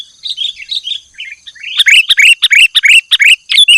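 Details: Actively singing sooty-headed bulbul in a tutor recording for caged birds: soft warbled notes at first, then loud, fast, bubbling chirps repeated about three per second, over a constant thin high whine.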